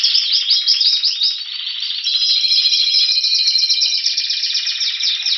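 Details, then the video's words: Spanish Timbrado canary, caged, recorded in February 2016 near Athens, Greece, waiting for spring: continuous high rolling song of rapid repeated notes, a dense trill that shifts into smoother metallic tours midway, with no other sounds. "Canario Timbrado Espanol esperando la primavera"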